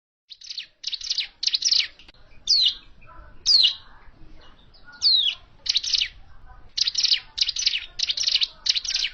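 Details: Hill prinia's original call used for bird trapping: rapid buzzy high notes in bursts, broken by a few sharply downslurred whistled notes, against quiet background.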